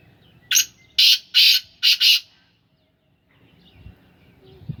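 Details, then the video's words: Owned black francolin of Sindhi Gangas breeding calls with a loud grating phrase of five rough bursts, two long ones in the middle and a tight pair at the end, followed by low background noise. "Kala teetar ki awaz / black francolin voice کالا تیتر کی آواز"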